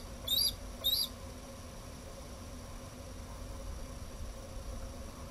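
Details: Bald eaglet in a Minnesota nest, live nest camera, warm afternoon of 20 June 2012 at 3:15 pm with thunderstorms expected, looking around and calling out periodically; two brief thin, high squealing chirps near the start, then steady low background hum.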